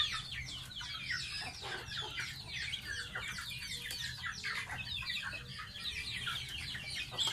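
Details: Bathing pet baby goose gives a continuous chatter of thin, high, falling peeps in rapid overlapping series, with a faint background hum.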